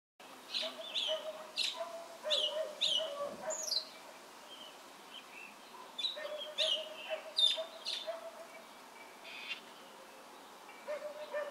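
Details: A thrush recorded in Ancud, Chiloé, on 12 December 2016 sings bright, high chirps and whistled notes in quick bursts, pausing briefly between phrases, over a low steady hum.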